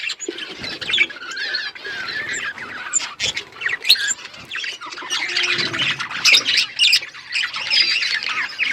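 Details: Budgie flock in an outdoor aviary producing a long, unbroken wash of overlapping chirps, squawks and warbles, with occasional sharp clicks.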